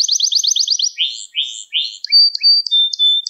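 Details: Song of a canary, played to teach young canaries: a rapid trill of bright repeated notes, then slower buzzy slurred phrases and long pure whistles held at a steady high pitch.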